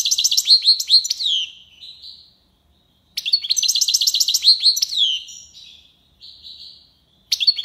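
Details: European goldfinch in the tiwawati style, Algiers, Algeria, delivering long rapid phrases of rhythmic, liquid, high trilled notes that fade into softer buzzy tones, with brief pauses between phrases.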